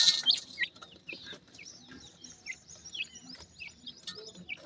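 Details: Feeding pheasant chicks give faint, high, slurred peeps, spaced irregularly and a few per second, over quiet tapping and pecking noises at the feed.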